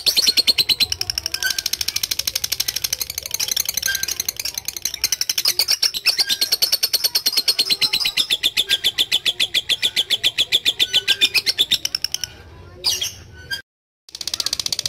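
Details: Long ngekek chatter from a lovebird, recorded to train songbirds: nearly fifteen seconds of dense, rapid high-pitched pulses, with a short break and a moment of silence near the end before the trill resumes.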